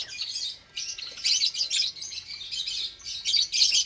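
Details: Several Java sparrows in an aviary with young chicks, Sunday morning, 8 May 2022. Loud, continuous high twittering chatter, broken by brief pauses.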